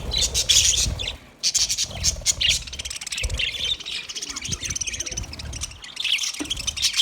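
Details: Dense chatter of aviary budgerigars: high buzzy warbles, squeaks and chirps in quick succession with brief lulls, over low background rumble.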